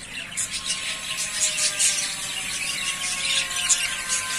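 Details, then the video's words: Three breeding pairs of yellowface spangle budgerigars, ready to breed, fill the air with dense high squeaky chirps and warbling chatter, rapid overlapping notes throughout, with a faint steady hum beneath. "Ready To Breed / Yellow Face Spangles / 3 Pairs"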